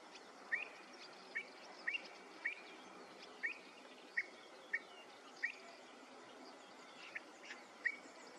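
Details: Wood sandpiper uttering brief, sharp, high whistled notes, singly or in quick pairs, repeated about every half second to a second over a steady hiss of insects and background noise.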